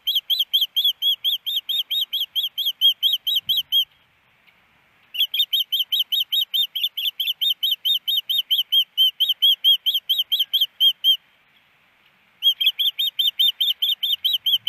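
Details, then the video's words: Nesting female osprey in Missoula, Montana's Hellgate Canyon on April 28, 2019, following a snowy morning, waiting for her mate to bring a fish: three long bursts of loud, high, rapid piping whistles separated by brief silences. "Iris Needs A Fish but No Fish!"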